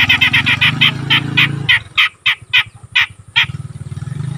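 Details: Grey-cheeked bulbul, an untrained young bird becoming vocal. Rapid rasping notes slow into spaced harsh squawks over a low, rumbling engine-like drone.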